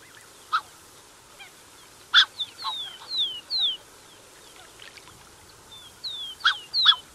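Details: Black-necked swan pair with cygnets, close by: sparse short honks between several high, thin, descending whistles, with quiet gaps and a louder pair of honks near the end.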